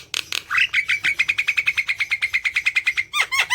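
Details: Javan myna in full chattering song, meant to coax quiet mynas into singing: two harsh opening notes, then a fast, even stutter of about twenty-five sharp repeated notes at one pitch, ending in two dropping squeaks.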